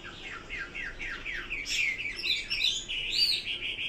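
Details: Chinese hwamei singing a series of quick repeated whistled notes that build into louder, ringing, varied phrases.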